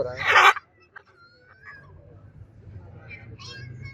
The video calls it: MACAW Parrot Sound